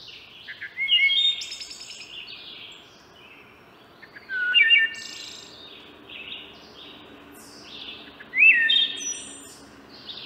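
Wood thrush singing three fluting, flute-like phrases about every three and a half seconds, each ending in a high, buzzy trill.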